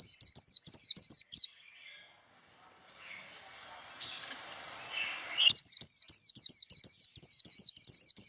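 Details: Japanese white-eye in song training, giving bursts of rapid high twittering notes with a quiet gap in the middle before the fast chattering phrases resume.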